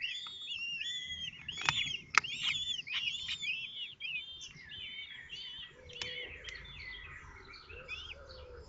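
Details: Kestrel chicks in a nest at Théding on 19 May 2024, with one egg hatching while siblings are fed: busy repeated arched squeaks, about two a second, a few sharp taps, then lower drawn-out notes.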